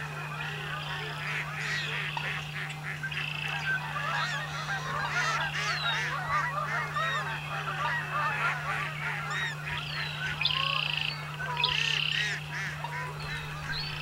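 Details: A crowded flock of American coots on a spring marsh during courtship season gives nasal, honking clucks and short squawks over one another, with a steady low hum underneath.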